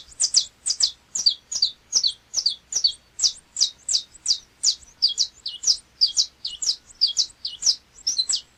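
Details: Saffron Finch, the Brazilian canário-da-terra, singing a long run of sharp, high chirped notes. Each note sweeps steeply downward, and they come two to three per second in a steady, clean series.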